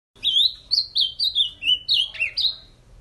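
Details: Caged ultramarine grosbeak, a male that has just mated and was brought back to sing again, delivering a fast run of eight or nine clear whistled, slurred notes, each rising then falling, with no other sounds.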